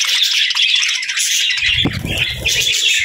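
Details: Budgies chatter in rapid overlapping chirps and squeaky warbles, a steady high twitter throughout, with low rumbling thuds in the second half.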